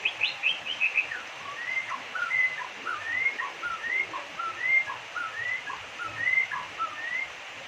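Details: White-rumped shama in Indonesia, in full song, giving an odd song said to call out the name of the country's number one, Jokowi. A series of short, clear whistled phrases, rising and falling, repeated roughly every half second over steady background hiss.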